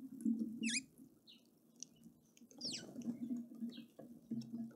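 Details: Red-faced mousebird at a feeder in Pretoria, South Africa: a few high, thin down-slurred whistled notes, one longer sweeping note near the middle, over steady dripping water and a low hum.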